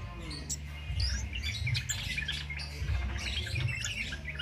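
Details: Undoped cit keres in full song, for use as a tutor recording for songbirds: bursts of sharp high twittering notes and brief upslurred whistles, loudest in two clusters, with a constant low droning hum beneath.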